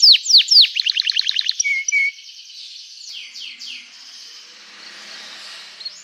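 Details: Canary chirping meant to trigger replies from other canaries: loud down-slurred whistles and a quick chirping run in the first two seconds, then much fainter, softer song notes over a quiet hiss.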